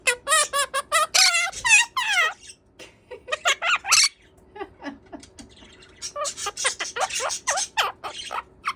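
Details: Pet Quaker parrot (monk parakeet), a male kept indoors, talking: rapid strings of harsh, buzzy mimicked syllables with sharp squawky notes, bursts of words repeated in quick succession with brief pauses between phrases.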